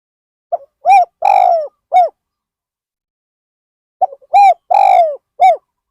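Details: Decoy spotted dove at Ban Nong Hin, used to draw in wild birds, gives two clean phrases of mellow cooing, each a faint lead note, a long burry coo and a crisp closing coo.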